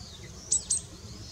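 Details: Long-tailed rosefinch, male and female, 20 December 2016: two brief, very high, piercing call notes in quick succession against quiet low background noise.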